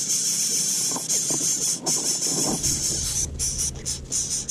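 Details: Greater coucal chicks in their nest as their mother brings food to feed them: harsh, high hissing begging in rapid pulsed bursts with short gaps between them, over a low background rumble.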